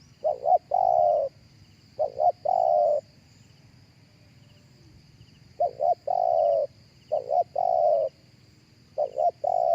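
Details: Spotted dove cooing, the recording meant for a speaker to draw in other doves. Low, soft phrases of two short hooting notes and a long, steady coo, repeated about every three and a half seconds over a quiet background.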